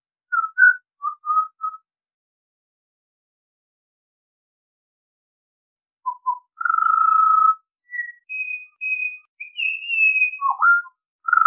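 Pied Butcherbird singing pure, flute-like whistles: a few short mellow notes, a pause, then a long held tone and higher phrases ending in a downward slur.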